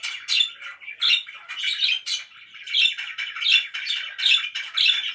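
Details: Loud pet budgerigars give harsh chirps and squawks about once a second over a rolling, buzzy chatter.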